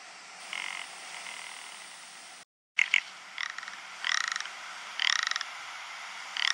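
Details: Ptarmigan in the dry season: rattling, croaking bursts of fast pulses, each train under half a second, repeated roughly once per second over a steady background hiss, with a brief silent dropout.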